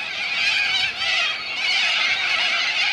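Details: Corellas gathered at a lagoon on Coopers Creek near Innamincka, South Australia, screech together in a loud, harsh, continuous chorus with brief dips in volume.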